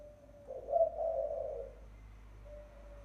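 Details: Spotted dove lure call, a short lead-in note then a loud, husky low coo, followed by quiet and a faint level tone.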